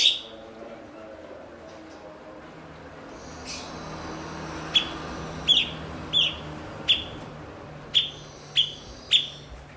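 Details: Blue-winged leafbird, called cucak cungkok, a fluent mimic kept to train songbirds; after a quiet, noisy start, a steady series of eight crisp, downward-slurred chips arrives roughly every half to one second.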